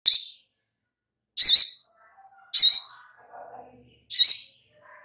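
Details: Little spiderhunter (sogok ontong) recording used as a lure to make kept birds answer and sing. Sharp, high chirps, each with a brief buzzy edge, come about every one and a half seconds. Faint soft notes sit in the gaps.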